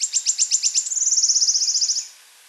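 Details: In a morning chorus in open hornbeam forest, a wood warbler sings about seven high, separate ticking notes that speed up into a dry, shivering trill lasting about a second.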